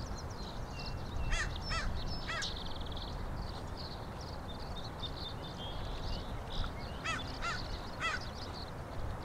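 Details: Killdeer calling outdoors on 26 May 2012: a few short, sharp, high notes in quick bursts around 1–2.5 seconds and again near 7–8 seconds, over steady low rumbling background noise.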